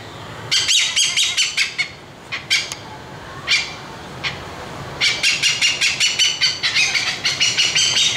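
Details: An Oriental pied hornbill (Anthracoceros malabaricus) at Hanoi Zoo gives a flock-gathering call of harsh, cackling squawks, first in scattered bursts, then a fast run of about ten raspy notes in three seconds.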